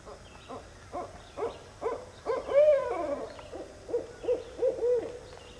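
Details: Northern Barred Owl calling: several evenly spaced low hoots build to a long, loud hoot that falls in pitch. A quick run of shorter, rounded hoots comes after it, against a quiet background.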